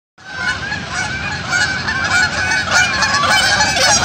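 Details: A male goose showing aggression toward other geese, giving loud, harsh, continuous honking with rich harmonics that rises in intensity toward the end.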